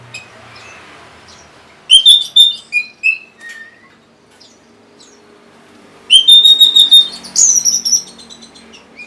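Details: Orange-headed thrush, locally anis merah, a caged bird from Singaraja, North Bali, used to prompt stalled or reluctant caged birds into singing. Two loud bursts of rich whistled phrases mixed with sharp chirpy notes, separated by a quiet pause of several seconds.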